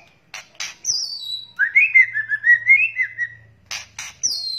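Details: Lure calls of white-rumped shama, juvenile, male and female: rasping noisy bursts and a falling whistled note, then a fast chattering warble of slurred notes, ending with more harsh bursts and a high descending whistle.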